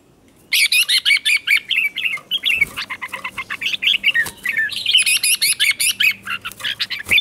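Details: Bulbul song practice at dawn from a red-whiskered bulbul, sung 'chè' style. After half a second of quiet, a steady stream of rapid, bubbly whistled notes runs on unbroken, sharp and chattery.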